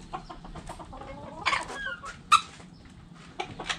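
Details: Backyard chickens, a flock of hens and roosters: quick throaty clucks come in bursts, with a loud sharp squawk midway and a few more clucks toward the end, over faint low background noise.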